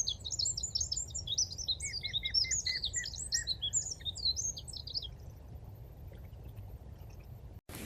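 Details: Eurasian wren mating song in Kyiv's Konche-Zaspa area, Dnipro floodplain, Ukraine, on 17 February 2023: about five seconds of fast, high, tumbling notes with a lower rattling trill mid-phrase, then quiet with a faint rumble before an abrupt cut.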